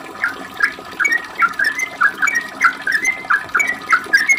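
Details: Sooty-headed bulbul singing a rapid 'ropel' lure song meant to provoke replies: short liquid warbled notes and rising whistles, about two per second, over faint background noise.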